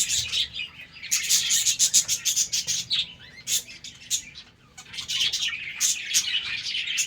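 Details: Morning chatter of a budgerigar breeding colony at play: bursts of rapid high chirps and scratchy warbles, a brief quieter lull around the middle, then the busy chirping resumes.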